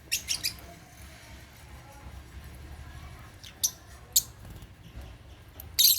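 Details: At meal time, African lovebirds feeding on holy basil make quick chirps: a rapid pair at the start, then single sharp squeaky notes every second or so, ending in a louder harsh burst over quiet room hum.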